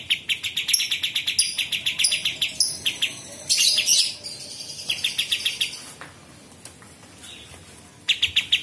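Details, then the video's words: Master song of a Sooty-headed Bulbul for training murai batu, cucak ijo and kacer. Rapid strings of sharp chips come about three a second, broken by a brief scratchy burst and a quiet pause before the chipping resumes. "KAPAS TEMBAK Masteran Murai Batu dan Cucak Ijo serta Kacer"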